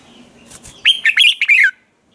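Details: Red-whiskered bulbul giving a morning training song: a lively run of about five bright whistled notes with quick up-and-down slurs, delivered in under a second after faint rustling sounds.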